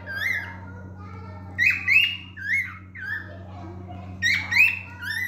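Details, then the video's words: Male cockatiel whistling in short looping phrases with harsher squawk-like notes interspersed, some overlapping sounds, over a constant low hum indoors. "تغريد ذكر الكوكتيل الفرنسي"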